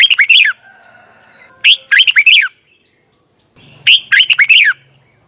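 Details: Red-whiskered bulbul singing in the double twisted voice style, a 2020 morning song used to train birds: three phrases of fast, clear warbled notes that end in a falling slur.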